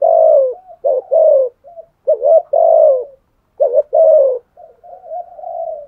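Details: Spotted dove giving fighting coos in a deep, earthy voice, a style prized in Vietnam: low, hoarse coo notes repeated in short bursts with brief pauses, some phrases ending in softer trailing hums; no other sounds.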